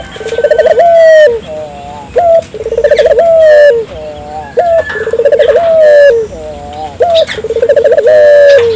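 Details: Dove calling strongly, used as a lure for local doves: clear, low rolling coos, each a short upslurred note followed by a bubbling trill and a sustained tone, repeated regularly about every two and a half seconds.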